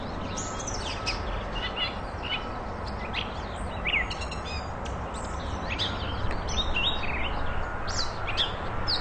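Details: Catbird song offered as a model for training a kacer (magpie robin): a fast, varied run of chirps, twangs and short whistled phrases, some rising and some falling, over steady low background noise.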